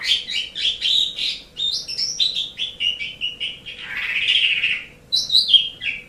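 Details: Training recording of Asian pied starling song: rapid run of short repeated whistled notes, a long harsh rasping passage, then a brief bright whistled flourish.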